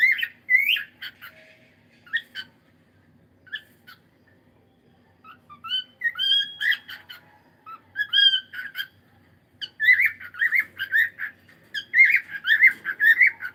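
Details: Pet cockatiel mixing clear whistled notes and short chirps with bursts of rapid squawking chatter that grow busier and louder toward the end.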